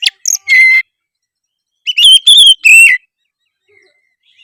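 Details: Oriental magpie-robin in lively, vigorous 'gacor' song; loud, clear whistled notes: a short opening phrase with a sustained whistle, a pause, then a burst of rich sweeping whistles around three seconds, with silence between phrases.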